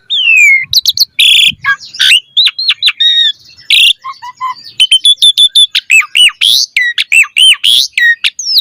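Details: Asian pied starling delivering a full-variation 'mompa' master song: downslurred whistles and harsh bursts, then a long, rapid run of repeated looping notes filling the second half.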